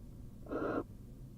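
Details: Female barn owl incubating seven eggs inside a nest box at the University of Florida, just after swallowing a whole vole; a single harsh, breathy wheezing hiss lasting about a third of a second, rough and noisy, over quiet background.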